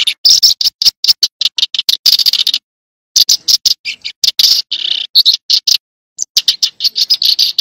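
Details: Tree sparrow chirping, with dense runs of rough, rapid chirps broken by brief silences.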